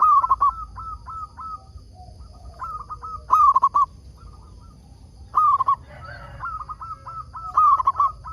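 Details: Local zebra dove used as a lure bird to draw wild doves into answering: loud trilled, slightly distorted coo phrases repeat every two to three seconds, with softer quick cooing notes between and a brief raspy burst near six seconds.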